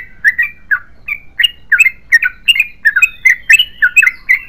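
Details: Long unbroken 'ropel panjang' song of a yellow-vented bulbul, a fast string of liquid, rolling chirps, some rising and some falling, tumbling out about three a second.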